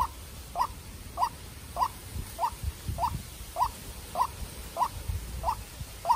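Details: Farm-raised young decoy white-breasted waterhen in a tense contest with a wild bird. It delivers about ten abrupt, clipped notes at a steady pace, roughly one every 0.6 seconds, with low background rumble.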